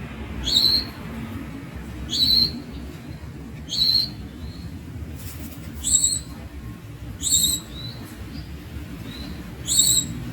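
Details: Young Javan Munia repeating a piercing, thin squeak roughly every one and a half seconds, six notes in a row, with a few softer chips between them and a low background hum.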